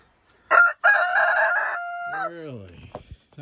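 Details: On a snowy, chilly February 20th morning in a busy Vermont chicken coop, a rooster crows: a brief opening note, then a long, harsh, sustained cry that drops away. A man's voice follows briefly.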